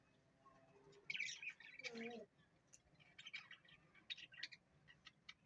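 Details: Pet parrot gives bursts of raspy, chattering chirps, one louder cluster early followed by quieter scattered squeaks, over a faint steady hum.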